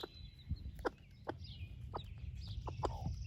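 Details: Splash laced red Wyandotte broody hen feeding her chicks breakfast, uttering several short clucks about half a second apart. Soft high chick cheeps glide in the background along with a low rumble.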